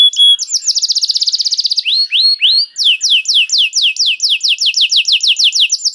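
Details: Canary bait song meant to make other canaries sing: a fast rattling trill opens, followed by a few rising slurs, then a long run of rapid repeated downswept notes.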